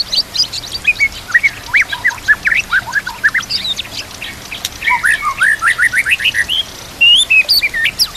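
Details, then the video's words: A White-rumped shama sings a dense, fast, high, bright run of varied whistles, chirps and sharp upslurred notes with hardly a pause for eight seconds, in a training recording set with nature sounds and trickling water. "Putar Suara ini Setiap Pagi dan Sore, Agar murai batu makin Fighter"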